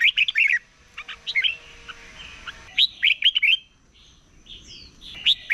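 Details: Red-whiskered bulbul in morning competition song; short bursts of lively whistled notes, some loud and crisp, others softer and overlapping, as though several birds answer one another, with faint chirps in between.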